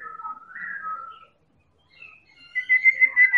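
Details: Medan-type white-rumped shama in full song, a recording meant to provoke other birds into singing: long sustained clear whistles, a pause, then a louder quavering, warbling whistled note.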